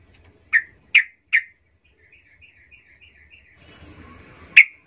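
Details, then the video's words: Yellow-vented bulbul sound used as a lure to make other bulbuls agitated: three sharp, loud chirps about half a second apart, then a faint run of soft bubbling notes, a noisy patch and one final sharp chip. "nggak sampai 10 detik trucukmu Bakal ngamuk Naik darah ramai mendengar pancingan trucukan ini"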